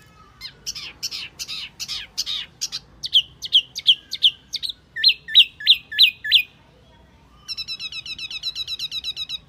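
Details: Wambi lure call, said to be very effective for luring birds: a rapid series of high chirps, then evenly spaced downward-hooked whistles about three per second, ending in a fast tinkling run of tiny high notes.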